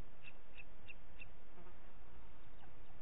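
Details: Four quick high piping notes from a booted eagle, Parc Natural dels Ports, 30 June 2021, late morning, evenly spaced and fairly soft against constant background noise.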